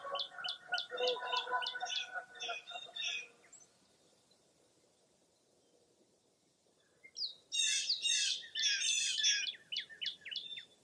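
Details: Lakeside birds in Baraboo, Wisconsin's Mirror Lake State Park, foggy early April morning: a rapid run of sharp chirps and a lower rolling trill, several quiet seconds, then a dense burst of bright high song notes.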